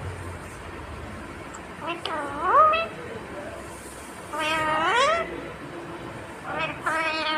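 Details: Pet parrot talking, said to say "mummy papa": three bursts of rising, harmonic, voice-like syllables near seconds two, four and a half, and seven, with quiet pauses between.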